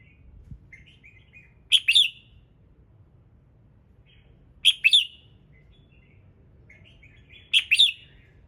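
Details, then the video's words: Red-whiskered bulbul morning song meant to trigger other birds: a soft warbled lead-in followed by a loud bright double chirp, the phrase repeated about every three seconds, three times, against a quiet background. "Chào Mào Hót Sáng Nhiều Âm Hay | KÍCH CHIM HÓT THEO LIỀN"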